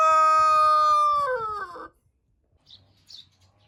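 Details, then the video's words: Rooster's crow ending in a long, held, rich harmonic note that sags and cracks downward before falling silent, with faint background chirps afterward. "Roosters crowing compilation | Sounds of roosters"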